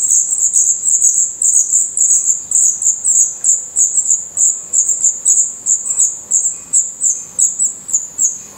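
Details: In a nest in Portugal, Black redstart young with open eyes and growing feathers keep up quick, very high squeaks, several per second, rising and falling in loudness in short pulses.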